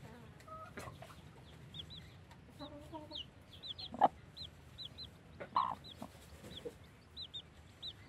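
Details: Freshly hatched chicks alongside their blackish mother hen. Many small, high peeps come in quick pairs and runs, broken by a few sharp, louder clicks and knocks.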